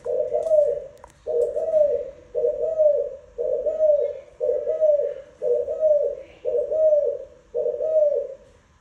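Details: Spotted dove cooing steadily: eight soft, throaty phrases with a gentle rise and fall, repeated roughly once a second with short gaps, little else heard.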